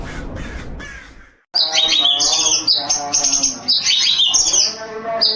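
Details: White-rumped shama singing loudly after a short stretch of muffled background noise: rich, rapid phrases of bright whistled and chattering notes, varied and tumbling, with several sharp upward flourishes.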